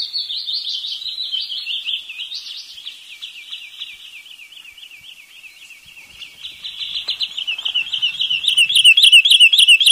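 Wood sandpiper giving a long run of high, whistled notes, three or four a second, dipping then rising and growing louder, with faint thinner chirps near the end.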